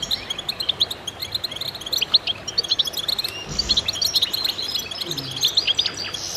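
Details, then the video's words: Goldfinches singing in a dense chorus of high twitters and chirps, broken by a brief low rumble midway and a soft low sweep near the end. "voices a chorus of goldfinches in concert to stimulate birds"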